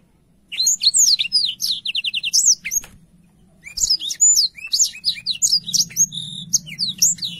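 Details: Clear, lively black-throated canary song meant for tutoring young canaries. After a brief silence come quick high slurred whistles and a dry rattling trill. The song pauses near the three-second mark, then resumes in a dense burst of chirps over a low hum.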